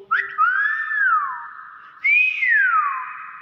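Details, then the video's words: Talking common hill myna imitating speech, said to say "bakpao": two long whistled phrases, each starting abruptly, arching upward, then gliding down, about two seconds apart, recorded indoors with a faint low hum at the start. "Burung Beo Pintar Ngomong Bakpao"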